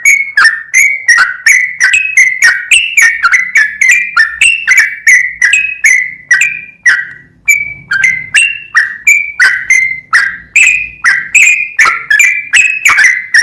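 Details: Long non-stop 'gacor full ropel' song of a sooty-headed bulbul meant to spur other bulbuls to sing. Steady stream of bright, slurred whistles, rising and dipping, roughly three per second, with only brief breaks.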